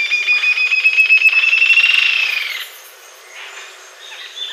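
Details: Green-tailed jacamar song: a rapid, ringing series of high notes that rises slightly in pitch, then stops abruptly after about two and a half seconds, followed by faint, softer bird notes.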